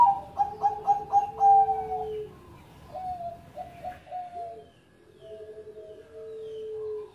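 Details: Bangkok-type zebra dove, a former first-place contest champion, singing actively: a quick run of short bubbly coos, then a long low steady tone, and later mellow falling coo phrases over faint background hiss.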